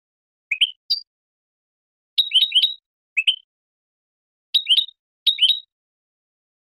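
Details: European goldfinch clean song for educating juveniles and contests: short rising two-part chirps and brief trills in spaced bursts, about six phrases over seven seconds, clear and without background sound.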